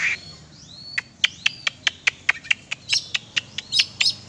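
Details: Kacer, the oriental magpie-robin, let out for exercise: a long run of sharp, evenly spaced clicking notes about four per second, laced with thin high whistles, growing busier toward the end.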